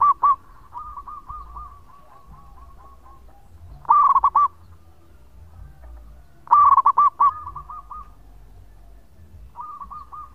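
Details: Local zebra dove song meant as a lure: repeated bursts of fast, stuttering coo notes, each loud burst followed by a long, fading run of softer evenly spaced coos, phrases recurring every few seconds over low hum.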